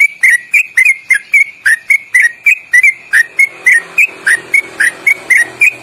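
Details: Sooty-headed bulbul singing a long, loud, rapid 'ropelan' trill with quick melodic inflections, used for training caged birds. A steady string of bright, sharp whistles, roughly three each second, some dipping or upturned, continues for six seconds.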